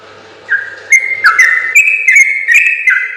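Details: Sooty-headed bulbul (trucukan), a training recording for other bulbuls in the long, rapid gacor ropel style. After a quiet start, clear whistled notes step up and down in pitch and come in a quick, unbroken run.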